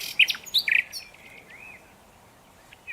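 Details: Nightingale song fragment: a quick cluster of sharp, loud chirps, followed by a smooth, arching whistle and a final high slurred note after a pause.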